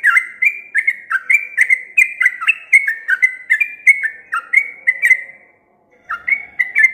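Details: A sooty-headed bulbul in full song pours out a long run of quick, liquid whistled notes bouncing up and down, about four per second, breaking off briefly before starting again.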